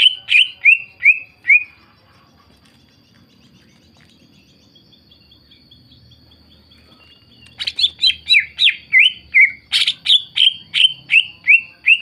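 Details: Greater green leafbird in full song, used to goad rival leafbirds into replying; a quick series of falling whistles, several seconds of near silence, then a long, lively string of about fifteen bright, descending notes.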